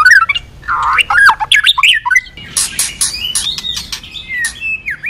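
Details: A female white-rumped shama sings to stir the male into song: rich warbled whistles and squeaky notes, then scratchy harsh bursts and a few thin, falling whistles.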